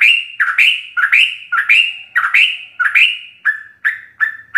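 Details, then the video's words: Ropel-style sooty-headed bulbul song for training captive birds: strong, bright whistled phrases with raspy edges, slightly slower pacing, then shorter softer chirping notes near the end. "Ropelan trucuk gacor full isian"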